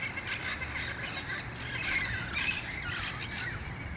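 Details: Wild red-crowned parrots, a flock gathering at dusk in El Cajon in August before heading to nearby roost trees; harsh, overlapping squawks and screeches continue without a break, with many birds calling at once.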